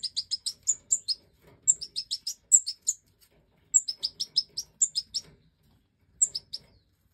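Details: Aviary-bred Goldfinch Major, five fledged chicks being fed by the hen: quick bursts of shrill high chirps with thin whistled leading notes, separated by short silences, trailing off to a few final squeaks.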